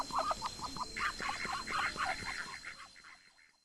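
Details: Muscovy duck (Cairina moschata) eating grass in a garden, released by day, giving soft, rapid clucking chatter, a few short notes each second, fading over the last second; a faint steady high hum underneath.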